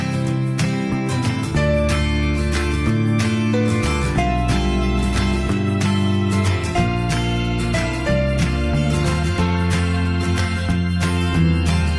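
Only music is heard, steady plucked guitar chords with a warm low bass, with no animal calls.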